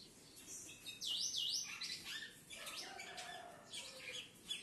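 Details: A captive-bred pair of ultramarine grosbeaks of the harlequin mutation in Brazil sing clear, slurred whistles that swoop up and down in quick, overlapping phrases, with some softer chirps beneath.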